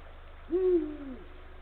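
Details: Eurasian eagle-owl male visiting the nest on 17 February 2023 in late afternoon, calling the female: a low hoot swelling briefly, then sinking into a softer, falling trail.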